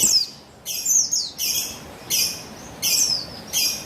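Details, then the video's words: Female Javan white-eye (buxtoni), recorded 3/8/21, calling to draw untrained males into full song: short high, bright chirps sliding downward, in bursts about every three-quarters of a second against faint background hiss. "Buxtoni Betina Memancing Bunyi Burung Pleci Bahan Agar Bustomi Gacor Ngalas"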